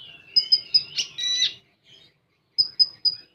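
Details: Common iora singing 'tembakan' style: three sharp high pips, a long rising-and-falling whistle, a rough buzzy burst, a short pause, then three more evenly spaced high pips.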